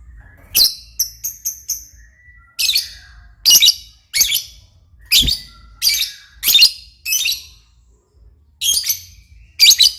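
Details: Lovebird chattering busily, a rapid series of short, harsh, high squeaky chirps, some quick thin notes in a row, others broader buzzy bursts, with a faint steady whistle and low hum behind.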